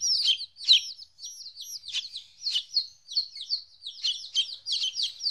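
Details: Young chickens aged 14 days, separated from their mother, utter loud, sharp peeps in clustered volleys with short gaps between them. Many chicks overlap in a shrill chorus.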